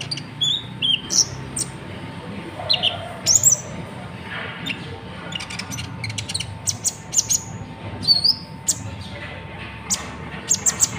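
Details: Van Hasselt's sunbird of the Natuna type, known locally as konin, giving its characteristic song, used to train other birds. High, thin twittering chirps come in quick bursts throughout over a steady hiss and a faint constant tone.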